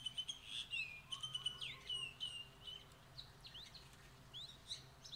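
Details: Streak-eared bulbul chicks being fed by a parent beg with rapid, thin, high chirps and short sweeping squeaks in quick bursts, over a low background hum.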